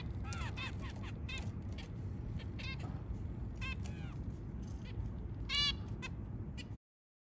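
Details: A white zebra finch early in the morning gives short, nasal, trumpet-like calls in quick bursts over a low background rumble.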